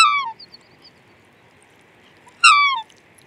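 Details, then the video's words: Black swan calling with two brief bugle-like notes, each a harmonic downward-sliding honk, separated by about two seconds of quiet. "Black Swan Bird Call/Song"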